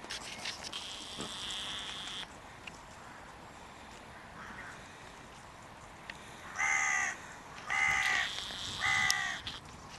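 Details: Crow defending its breeding grounds as spring and the mating season arrive: faint distant calling first, then three loud harsh caws spaced about a second apart near the end, over steady background hiss.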